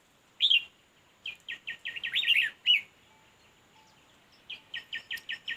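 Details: Red-whiskered bulbul at a fight trap. Short chirped notes come in quick runs, with a louder burst of tangled notes in the middle. A final run of five evenly spaced chirps follows a quiet gap.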